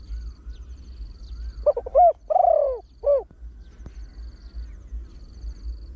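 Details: Trained Spotted Dove with a big voice, sung in the 'khan yon 1 kuk, khan thi' style to lure wild birds. A quick cluster of short hoots leads into a long, falling coo and one final short hoot. Faint high chirping is heard.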